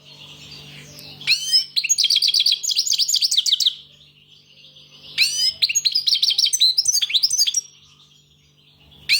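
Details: European goldfinch singing in two bursts of fast, high, liquid twittering and tinkling trills, each lasting two to three seconds, with a low steady electrical hum underneath.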